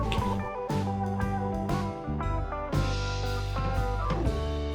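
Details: Plucked electric guitar music with drums and a steady bass line, with no animal sound.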